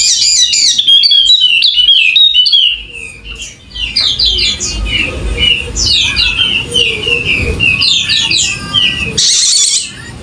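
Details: Golden-headed Wallacean white-eye from Sumbawa, NTB, singing at length. Quick, jumbled high chirps and slurred whistles tumble at around four per second over faint low background sounds. A buzzy rattle breaks in near the end.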